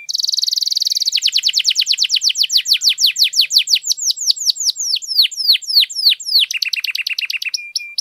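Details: Long canary song used to rouse silent canaries into singing: a buzzy high rattle opens, then rapid sweeping notes in a steady series, slowing into drawn-out downslurs, ending with lower repeated chips and a brief whistle.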